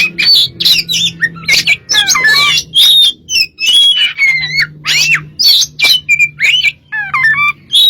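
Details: Oriental magpie-robin singing a dense, varied lure song: fast run of whistled slurs, upward sweeps and harsh chatter notes with hardly a break, accompanied throughout by a faint low humming drone.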